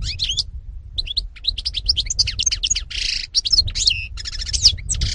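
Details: European goldfinch (Carduelis carduelis), 2018: almost continuous, rapid twittering song mixing thin whistled slurs, sharp chirps and buzzy rattles over a noticeable low background hum.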